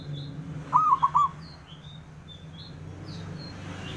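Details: Single provoking call of a male zebra dove: a long quavering coo followed by two short coos, with scattered high chirps from smaller birds behind it.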